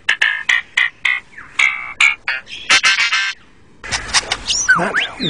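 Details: Male lyrebird in forest mimics a camera shutter and a motor drive, with harsh clattering bursts in quick runs, then a noisier passage with sliding whistled notes, singing complex song to attract females to admire his plumes.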